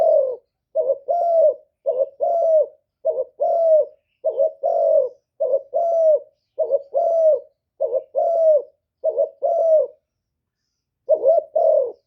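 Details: Spotted dove decoy bird calling to provoke and lure wild doves: paired low cooing phrases, a short note then a longer rolling coo, repeated steadily about every second, with a brief pause before the last two phrases.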